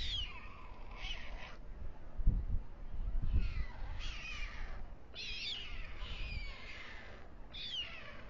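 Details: On the town hall tower of Alcalá de Henares, Spain, the male white stork brings food to two chicks at dusk. Hoarse, sliding, hissing calls recur in bursts, with heavy low thuds in between.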